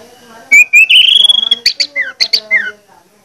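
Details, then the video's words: Orange-headed thrush, a lure song meant to provoke other males into singing: a rising whistled slide, then quick buzzy notes and short falling whistles, loud and clear. "pancingan anis merah plong ngotot membangkitkan gairah anis merah lain untuk bunyi"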